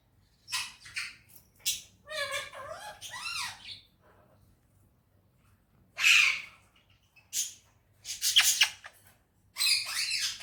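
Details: Parrot in a happy mood, described as talking in Urdu and Hindi; wavering voice-like notes and raspy squawks, then spaced loud rasps after a short silence.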